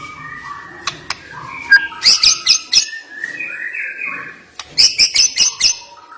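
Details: White-rumped shama song with sharp, piercing notes: wavering mid-pitched whistled phrases broken by bursts of very high, crisp chips around two and five seconds, repeated in quick clusters.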